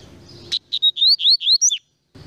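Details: Double-collared seedeater song, loud and close: an emphatic series of about eight clear whistled notes, mostly rising slurs, delivered rapidly in under two seconds, then silence.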